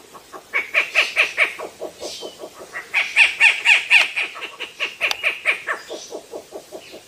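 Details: Rufous-legged Owl, a medium-sized owl of Argentina and Chile, gives loud, harsh notes resembling human laughter, about two per second, in two stuttering bursts that rise and fall in strength; Rufous-legged Owl.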